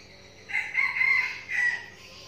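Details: A frequently crowing decoy red junglefowl in Bình Phước, Vietnam, gives a single loud, coarse crow in three joined parts, the last syllable drawn out, over low steady background.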